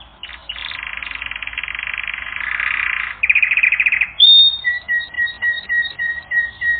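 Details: Training recording of a canary: a long, harsh, buzzy trill, a quicker rattling section, then a high whistle followed by short repeated chirping notes.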